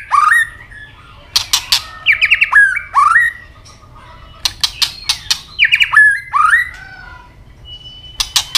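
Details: A white-rumped shama in fighting song, tail clicking. Rich slurred whistles rising and falling around mid pitch, broken by bursts of hard snapping clicks, repeated in two similar phrases.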